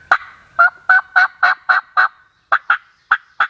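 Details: Wild turkey gobbler on a public-land hunt, with a loud series of about twelve ringing, slightly nasal notes, evenly paced at first, then in looser pairs.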